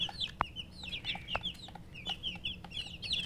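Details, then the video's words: Many domestic chicken chicks peep together, bright high chirps tumbling in quick succession, with a few sharp taps and a faint low hum underneath. "Murgi chicks Chirping sounds"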